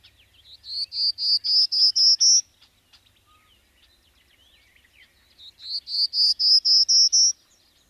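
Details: Prairie Warbler song given twice: a run of buzzy, evenly spaced notes climbing steadily in pitch, likened to going up a chromatic scale, each phrase about two seconds long.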